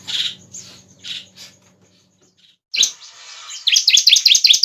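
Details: Bar-winged prinia recording used as a lure and tutor: a few soft, breathy chirps and a short pause, then a sudden fast, ringing trill of sharp repeated notes at the end.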